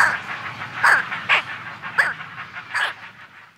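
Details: A week-old brown pelican chick, recorded close up, gives harsh, hoarse squawks with falling tails, about five in under four seconds, over the murmur of a busy colony.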